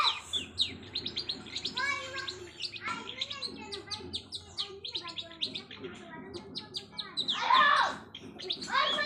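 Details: Long-tailed shrike learning mimicked fill-in sounds: a dense, varied run of sharp chirps, short whistled notes and scratchy bursts, changing quickly in pitch, with a louder harsh burst near the end.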